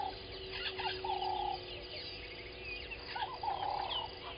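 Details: Egyptian goose pair calling at 05:32 at Gowrie dam, Sabi Sand Wildtuin, South Africa: two runs of drawn-out nasal honks a couple of seconds apart, set against a chorus of distant chirping birds.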